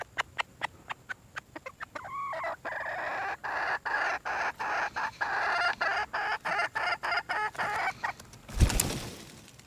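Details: Red junglefowl hen calling for a mate: a long series of harsh, buzzy cackling notes, first short and clipped, then longer, repeated about three per second, ending with a loud broadband thump.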